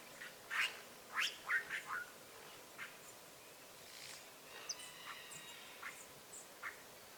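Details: Free-living Azure jay fed at a rural smallholding. It gives a short burst of loud, harsh, rasping calls in the first two seconds, then faint scattered notes against a quiet outdoor background.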